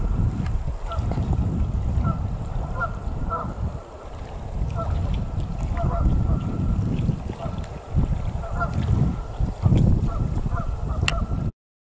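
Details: Canada geese on Travis McNatt Lake, Big Hill Pond State Park, on 3 February 2018, give scattered short nasal honks, several birds calling irregularly, over a steady low rumble of wind or water.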